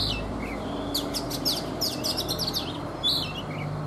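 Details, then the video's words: A caged, wild-caught Oriental magpie-robin, three seasons in captivity, sings in the morning: a run of fast, sharp high chirps and short whistled slurs over steady low background noise. "Chòe Than già rừng - 3 mùa lồng hót buổi sáng"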